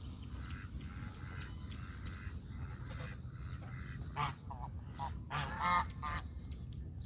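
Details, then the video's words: Domestic goose giving scattered nasal honks, with a louder, harsher honk near the end, set against steady low-pitched background rumble. "Country goose call"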